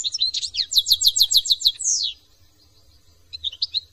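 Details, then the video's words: European goldfinch from France singing: a rapid tinkling run of high twittering notes, then a fast buzzy trill ending in a descending slur, followed by a pause and a few soft chirps. "chant de chardon"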